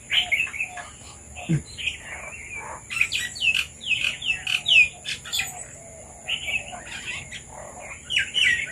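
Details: Red-vented bulbuls that came for papaya keep up a chatter of short, bright chirps, nearly continuous in the middle, with a background high-pitched hum.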